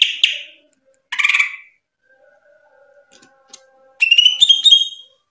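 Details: Greater green leafbird in tembakan song. Two short buzzy bursts are followed by near silence with faint low sounds, then a quick sequence of bright rising whistled notes at the end.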